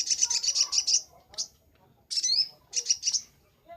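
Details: Singing crimson sunbird in the 'gacor nembak' style, a master recording for training birds: a quick run of high, buzzy, evenly spaced notes, then a lone chip, a sweeping high phrase, and another short burst of repeated notes.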